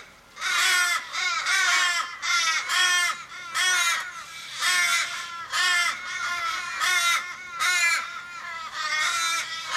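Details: Australian ravens mourning a flock member dying in a Sydney street, 1 July 2012; loud, harsh, wailing caws in uneven bursts, each sliding downward, several birds calling over one another.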